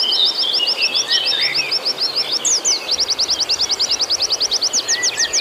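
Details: Oriental white-eye singing to provoke a caged bird, a lure to rouse its emotion: fast high chirps run together in a quick trill, a brief pause with a higher squeak, then an even tighter rapid trill of sharp notes.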